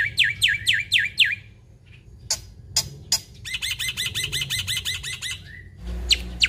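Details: Busy imitation-laden song of a Black-winged myna: five looping downslurred whistles, sharp clicks, a rapid buzzy rattle for two seconds, then a brief whistle and a few loud snaps.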